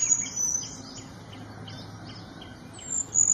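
Small Niltava giving very high, thin, drawn-out whistles at the start and end, with faint soft chirps in between over a quiet background.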